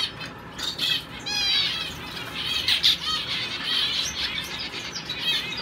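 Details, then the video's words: Caged male owl finch in show training, singing hard; high nasal buzzy phrases with fast wavering trills and a few brighter squeaky peaks near three seconds, delivered almost without pause. "Owl finch in training"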